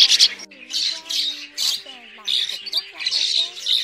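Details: Migratory red-billed starlings, a recording used as a lure for net trapping, give harsh, squawky chatter in quick bursts roughly every half second, with thin whistled and twangy notes running beneath.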